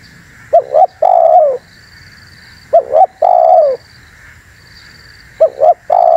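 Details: Spotted dove call meant to lure wild doves: three phrases, each a pair of short low notes and a long falling coo, separated by pauses of about two seconds, with faint high whistling behind.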